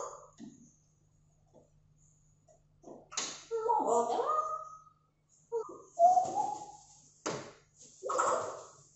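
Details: Pet grey parrot indoors, sassing its own reflection while heavy rain falls outside, gives short voice-like mimicked words in a few bursts, including "Ого" ("wow"), mixed with a person talking.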